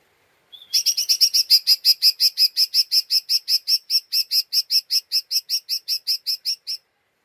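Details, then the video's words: Lesser green leafbird's unstable, agitated 'ngeriwik' chatter, a lure meant to provoke other birds: a long, steady run of about thirty harsh notes, roughly five per second, after one short whistle. "Pancingan Cucak Ijo Mini Cimin Malasa bunyi / ngeriwik / Emosi tidak stabil"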